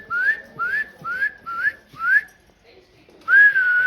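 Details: Parrot repeats five quick upslurred whistles at a regular pace, falls silent for a moment, then holds one longer, steadier whistled note.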